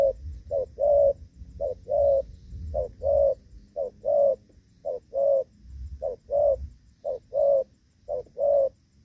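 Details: 'Gù vấp' coos of a spotted dove, recorded during rainy-season trapping with a decoy bird on 23 July 2024: repeated pairs of mellow low notes, short then long, at a steady pace. Some low-pitched background noise is heard.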